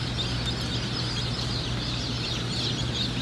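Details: Many Cinnamon Queen baby chicks peeping together at a hatchery, shrill short chirps crowding one another nonstop, with a constant low electrical hum underneath.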